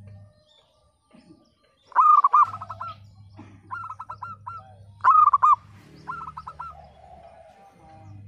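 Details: Zebra dove singing in a broken-voiced style, used as a lure to start silent birds singing. Two loud stuttering, trilled coo phrases about three seconds apart are each followed by softer echoing phrases from other doves over a low hum.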